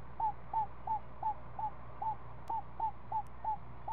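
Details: Seven-day-old owl owlet fed snake at the nest in the afternoon: clipped downward notes repeated about three per second, fairly regular, a couple of faint clicks and low steady hum.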